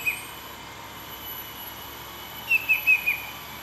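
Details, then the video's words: Wild Banded Bay Cuckoo perched low and close in Pahang, Malaysia, calling nonstop for over thirty minutes: one thin whistle, a pause, then four clear high whistled notes in quick even succession, each slightly dropping in pitch, over a quiet hiss. "Banded Bay Cuckoo stay low .. making calls"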